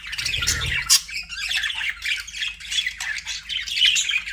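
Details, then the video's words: Budgies kept as pets, warbling in a continuous stream of rough squawks, trills and short whistles; a brief low thump near the start, otherwise unbroken chattering. "BUDGIE SOUNDS"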